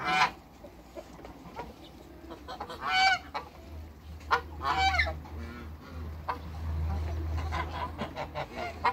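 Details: A backyard pair of African geese kept with other waterbirds, giving loud, harsh honks in separate bursts, some doubled, with gaps between, over a steady low hum and occasional softer calls from other birds.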